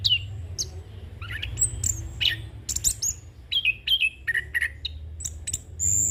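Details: Young orange-headed thrush in full ngeroll song with fill-in phrases, recorded for tutoring and luring: varied high whistles and chirps, falling slurred notes and short repeated phrases, over steady low background hum.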